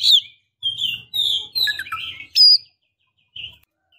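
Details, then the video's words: Female Oriental magpie-robin calling a male. Drawn-out slurred whistles and rough notes in quick succession, ending with a short, bright note and a soft final call. "KACER BETINA Memancing KACER JANTAN"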